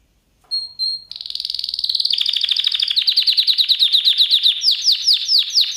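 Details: Canary song lesson recording for training canaries, opening with two short high whistles, then a long rolling trill that speeds into rapid repeated chirping notes, growing louder and choppier toward the end.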